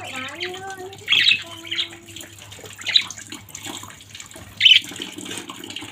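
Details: A budgerigar family gives isolated sharp chirps about once a second or two, after a brief gliding tonal note at the start, over a soft constant hiss.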